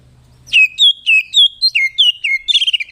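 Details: Oriental magpie-robin singing to call a rival, used to provoke other birds; a loud run of clear whistled notes each sliding down, repeated about every quarter second, ending in quick rattling chips.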